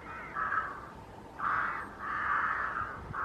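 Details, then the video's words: Lesser white-fronted goose, an unringed bird of unknown origin, at WWT Slimbridge on 16 October 2023: four loud, nasal, yelping calls of about half a second each, with the last two running close together, over a faint steady background. "Lesser White-fronted Goose"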